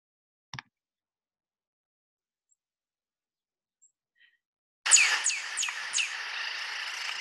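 Northern Cardinal giving a quick series of four sharp, high, downslurred notes about three per second, over a hissy, noisy background after a brief click.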